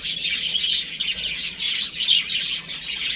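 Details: Chicks playing at home, high thin peeps arriving in loose, uneven pulses of roughly forty a minute over continuous background chatter.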